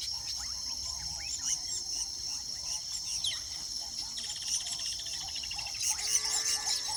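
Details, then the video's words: Nesting weaver birds chatter in quick chirps and buzzy, sizzling rattles over a steady high insect whine. "sounds of weaver birds nesting"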